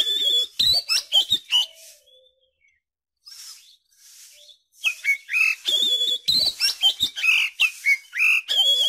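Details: Oriental magpie-robin song used as a lure to prompt young birds to start singing: loud varied whistles, sharp chips and slurred notes in rapid bursts, a quiet pause in the middle, then another dense run of whistled phrases.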